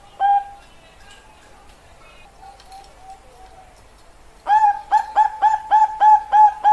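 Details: Zebra dove of the Bangkok perkutut strain singing: one clear cooing note, a long quiet pause with faint soft notes, then a quick run of seven loud, even, tonal coos at about three per second.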